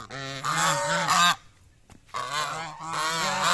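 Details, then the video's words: An angry goose gives two bursts of loud, harsh, nasal honks, each a rapid run of pulsing notes, separated by a brief pause. "Angry Goose Quacking"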